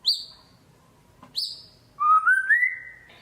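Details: White-rumped shama in energetic 'gacor' singing, used as a lure to stir quiet shamas into song: two sharp high whistles sliding downward, then a longer warbled phrase rising stepwise in pitch, on a quiet background.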